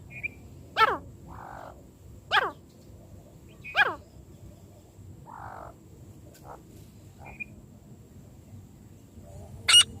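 A francolin gives three loud, harsh, downward-sweeping calls about every one and a half seconds, with softer grating notes between and a last sharp note.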